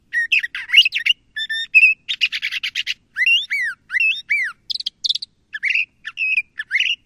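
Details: LeConte's thrasher song: a long run of varied phrases, whistled slurs, rising and falling notes and harsh buzzy bursts, delivered in quick succession with brief pauses and no other sounds.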